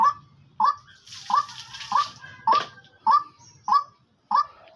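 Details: A captive female partridge, which the owner says calls constantly day and night, gives short, hoarse, upslurred notes, repeated steadily about every two-thirds of a second, with a faint rustle in the background.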